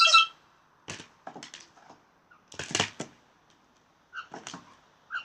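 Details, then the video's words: Blue jays producing a short harsh note, then a series of dry clicking and knocking sounds in clusters, with a few brief nasal notes near the end. "Blue Jays making funny sounds"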